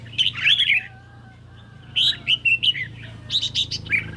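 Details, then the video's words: Lightly sunny day, a caged red-whiskered bulbul duels with a phone's recorded song: three bursts of loud, rounded, warbled notes spaced about a second and a half apart, with a steady low hum behind. "Chim Chào Mào Của A Tủa Hót Đấu Với Điện Thoại Cực Xung"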